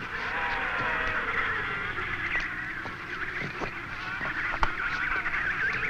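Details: Grey downy emperor penguin chicks, nearly adult-sized and about 50 lb, in Antarctic spring, fill the air with shrill, wavering whistles in a crowded chorus as they are caught for banding, with sharp knocks and handling noises.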